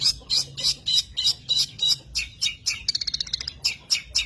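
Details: Long-tailed shrike song of short, high, chattering notes repeated about three times per second, with a quick rattling trill in the middle before the even phrases resume.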